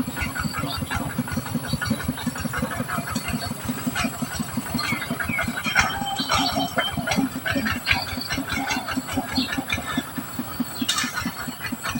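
A steady, rhythmic mechanical clatter and rumble, like a train or engine, with no clear animal voice.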